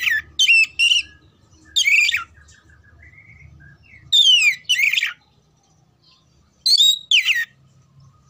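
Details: Oriental magpie-robin, a bird kept for singing contests, giving loud short phrases of harsh, descending whistled sweeps in bursts of about half a second, repeated with pauses over eight seconds; a low hum runs beneath.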